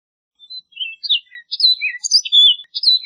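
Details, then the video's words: An orchard oriole sings a rapid, jumbled run of whistled and slurred notes, high and varied, tumbling along without pause; no other sounds intrude. "Orchard Oriole Bird Singing, Calling, Chirping, Sound"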